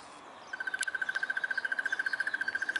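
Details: A South African Crested barbet gives a long, even trill of rapid mid-pitched notes, about twelve per second, held steady for over two seconds against faint background hiss.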